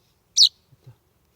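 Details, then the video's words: Common chaffinch fledgling found at a doorstep on a warm July summer evening, around half past eight, in Estonia; a single loud high chirp, followed by faint low soft knocks. "Sleeping baby bird - chaffinch / Magav linnupoeg - metsvint (Fringilla coelebs)"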